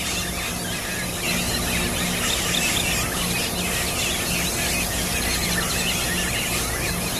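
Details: Yellow-rumped cacique (arrendajo común) filmed at Guamito, Barinas, Venezuela, on 5 August 2013: dense overlapping squeals, squawks and chirps from several birds, running continuously over a steady low mechanical hum and background noise.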